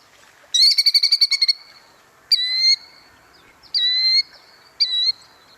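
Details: Recording of a Killdeer, a ground-nesting shorebird: a quick stuttering burst of shrill notes, then three drawn-out, high, slightly falling cries about a second apart. No other sounds.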